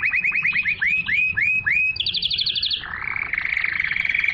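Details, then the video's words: Pure canary song intended to stimulate females to mate and to tutor young birds. A row of repeated arching notes, then a high fast trill, followed by a lower rolling warble. "تغريد الكناري لتحفيز الاناث على التزاوج"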